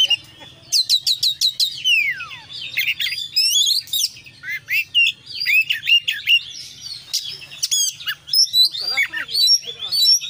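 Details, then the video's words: Kacer, the Oriental magpie-robin, in full-fill-in konslet song: rapid bursts of sharp clicks and chips, a long down-slurred whistle, then tumbling varied whistled phrases in quick pulses over a soft low hum. "kacer gacor KONSLET full isian"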